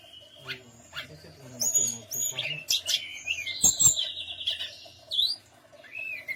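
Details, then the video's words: Tledekan gunung song used to lure other birds into answering: busy jumbled sequence of high whistles, chirps and sliding notes, fairly loud and continuous, with a low constant hum behind. "pancingan Burung Tledekan Gunung"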